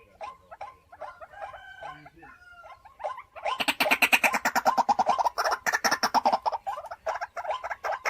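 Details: White-breasted waterhen kept at home as a decoy bird: soft scattered clucks and a few tonal notes at first, then a sudden loud run of rapid harsh pulsed croaks from about three seconds on.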